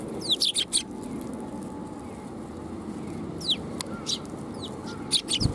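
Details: Sparrows coming to be fed at a Tenmangu shrine, 12 July 2021, give scattered bright chirps, some sliding downward, in quick clusters separated by pauses, against a broad low rumble.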